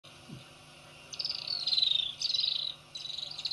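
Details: Little swifts drinking at Ol Donyo waterhole, Kenya, at 8:30 am on 20 October 2024, give shrill, twittering trills in three quick bursts, each about half a second to a second long, over a faint background hum; Little swift.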